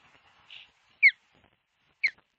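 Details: Osprey at a camera-watched nest in southwest Finland, 25 July 2023. A soft, hoarse note comes first. Two loud, piercing whistles follow, each sliding downward, about a second apart, with little other sound.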